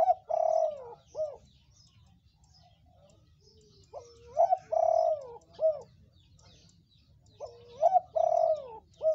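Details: Spotted dove of red colour, a vocal lure bird for making doves call; three evenly spaced cooing phrases, each a rising note, a long steady coo and a short closing note, with light background noise.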